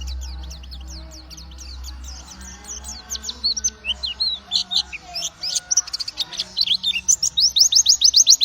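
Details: White-eye, locally called pleci, singing energetically in a long run of rapid, high, thin chirps and twitters. The notes grow denser and louder toward the end, with a faint low hum underneath.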